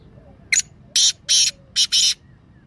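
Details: Black francolin call used to rouse captive francolins into calling: five harsh, grating broadband bursts over about 1.6 seconds, a short lone note followed by longer notes, the last two closely paired, over a quiet background.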